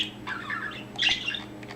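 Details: Pet budgerigar indoors, recently started vocalising and chattering, short burst of scratchy warbled chatter with a brighter squawky note midway, soft room hum underneath.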